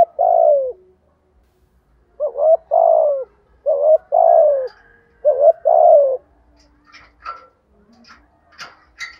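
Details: Decoy spotted dove giving its lure coo to make wild doves call: three-part phrases of short rising notes then a longer falling coo, repeated for six seconds, followed by faint scattered chirps from other birds.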